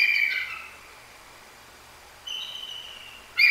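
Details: Bald eagle pair at a nest in Decorah calling after a Great Horned Owl hit; a high whistled note falling in pitch, a long quiet gap, then a further thin whistle and a loud burst.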